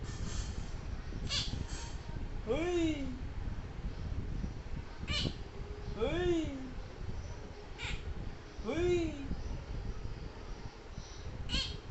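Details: A male Quaker (monk) parakeet utters three harsh, arching word-like calls, heard as talking 'no' and 'hey', about three seconds apart, each rising then dropping. A man's voice and a low background rumble accompany it.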